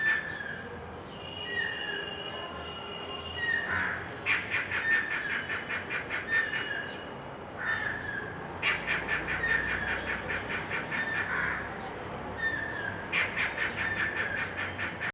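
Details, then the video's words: A Stork-billed Kingfisher near a residential complex in Krishnapur (Kestopur), Kolkata, gives two different sounds: three bursts of harsh, rapid cackling notes, each two to three seconds long, with shorter whistled notes between them. "Different sounds of Stork-billed Kingfisher"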